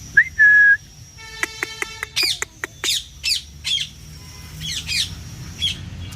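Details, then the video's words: Pet parrot called to by a person; a short pure whistle, then a harmonic buzzy tone with evenly spaced clicks, followed by a series of sharp loud squawks about every half second. "parrot natural sounds video"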